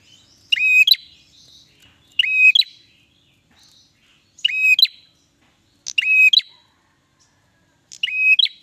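A bar-winged prinia gives five loud, buzzy, high notes, each about half a second long, spaced one and a half to two seconds apart, with quiet twittering between.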